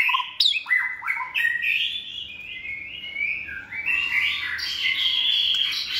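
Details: Caged white-rumped shama, hand-raised and kept for cage singing contests, delivering a long continuous warbled song of varied whistled phrases, sliding up and down and blending into rapid high twittering.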